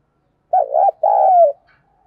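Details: Spotted dove coo meant to provoke wild doves into answering: a quick wavering double note, a brief pause, then a long steady coo that slides down at the end, with a clean, quiet background.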